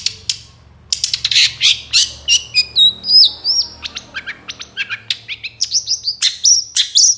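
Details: Long-tailed shrike in moult singing vigorously, a recording used to lure captive shrikes into song: a dense, rapid stream of high, varied chirps, squeaks and short whistled slurs, about three notes per second, with brief harsher notes mixed in.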